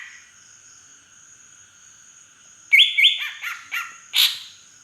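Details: Green leafbird of wild origin from Beutong forest, Aceh, singing with drongo-imitation fill-in: near-silence for almost three seconds, then a quick burst of about six loud whistled and harsh notes with down-slurred tails, over a steady thin high whine.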